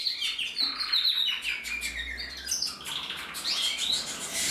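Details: Singing male canary of the red mosaic agate variety, 2024, giving dense rolling trills mixed with sharp chirps and high whistled slides, sustained without pause over several seconds.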